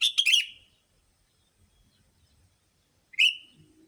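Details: Sooty-headed bulbul calls used to lure bulbuls: a jumbled, bubbly cluster of chirps opens, then after a pause comes a single clear chirp with a drawn-out tail and a faint low murmur.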